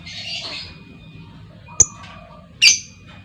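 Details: Female lovebird giving a lure call meant to set other lovebirds off into long trills: a harsh, buzzy squawk at the start, then two short, shrill chirps in otherwise quiet air over a faint low hum.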